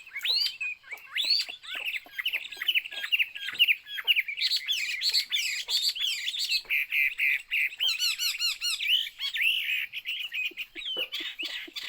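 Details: Continuous rich song of a Chinese hwamei, a dense stream of loud looping whistles and rapid warbled trills with barely a pause, some phrases repeated in quick series near the middle.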